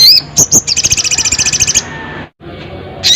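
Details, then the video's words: Crested jay calling loudly: a rising whistle, then a quick rattle of about fifteen even pulses, followed by near silence and another whistle at the end. "SUARA BURUNG SOGON GACOR KERAS"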